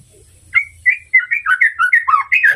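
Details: Song of a White-rumped shama meant to provoke a rival: a quick string of bright whistled notes that wobble up and down, each sharply separated, over faint low background noise.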